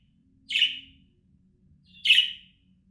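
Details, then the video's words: Two rasping budgerigar chirps, about one and a half seconds apart, from a recording used to call an escaped bird back, with a faint steady low hum beneath. "Muhabbet Kuşu Sesi, Muhabbet Kuşu Çağırma Sesi, Kaçan Kuşunuza dinletin geri gelsin"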